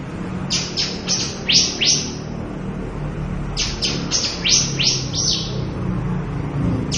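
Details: Javan bush lark, a favourite of songbird keepers whose wild numbers are said to be vanishing, in full-repertoire song: bursts of four or five rapid high notes, each dropping in pitch, separated by brief pauses, with low rumbling background noise.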